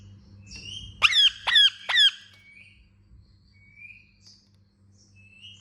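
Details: Pet Indian ringneck parakeet giving three loud, harsh, descending chirps in quick succession, about half a second apart, followed by faint softer squeaky notes over a steady low electrical hum.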